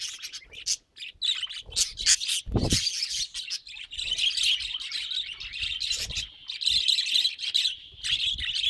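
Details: Budgerigars chattering continuously in a busy, warbling stream of rapid chirps and squeaky notes, broken by a few short pauses and occasional low thumps.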